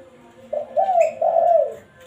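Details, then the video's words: Spotted dove call for luring, meant to summon a rival, with one smooth phrase of three hollow coos, the last drawn out and sliding slightly downward, over a quiet background. "Suara burung Tekukur pikat paling ampuh, memanggil lawan"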